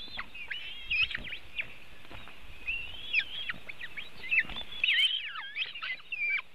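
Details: Feeding time for eaglets at a white-tailed eagle nest in Latvia, webcam, 24 June 2018, 3:23 pm: thin high whistles and twittering slurs, growing busier and louder near the end, faint low background hum.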